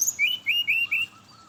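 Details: Brown-chested jungle flycatcher's morning song, meant to lure other birds of its species: four loud rising whistled notes in quick succession, then softer lower whistles fading out.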